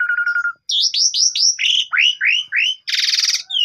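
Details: Javan pied starling singing, a phone recording used each morning to lure a quiet bird into song: a steady low whistle, then a run of rolling rising-falling whistled notes, ending in a harsh rattling buzz.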